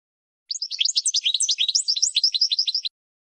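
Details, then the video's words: European goldfinch training song: one continuous two-and-a-half-second phrase of tumbling, liquid high twitters and chirps, dense and rapidly varied. "12h GOLDFINCH 1st Champion"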